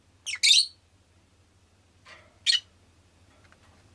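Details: Pet rosy-faced lovebird giving a loud doubled harsh chirp, then after a gap a softer note and another sharp chirp, over a low steady hum and light clicks.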